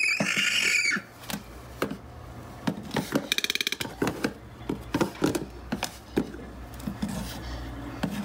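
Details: A pet toco toucan gives a harsh, hissing rasp, then a quick wooden rattle of clicks and scattered knocks indoors.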